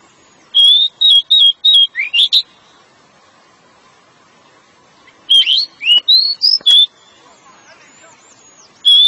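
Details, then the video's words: Pied bushchat delivering its long ngeplong song to lure the female: series of short bright whistles and rising slurs, rapidly repeated in two bursts several seconds apart, ending with one more whistle. "sang RAJA DECU ngeplong panjang memancing si betina"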